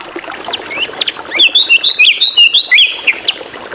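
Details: Drongo giving lively variation song: scattered chirps build into a fast run of loud, clear, twisting whistles, rising and falling, packed closely together for about two seconds before breaking off.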